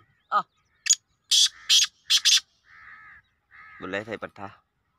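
Grey francolin giving a run of harsh, loud, grating notes mixed with short nasal tones, irregularly spaced over a few seconds.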